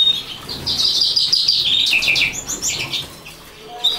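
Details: A common linnet sings a rapid, twittering run of high, bright notes and trills, chattering along quickly with slight buzzy touches.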